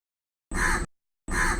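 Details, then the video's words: Two short, gruff caws from a crow calling in a tree, under a second apart. "crow call live from the tree"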